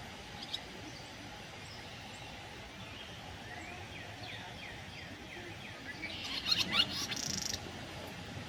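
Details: Barn swallow singing while preening at a park in Wheaton, Maryland, 9 July 2023: a run of quick, high twittering chirps building into a brief harsh, buzzy burst near the end, over a steady low background rumble.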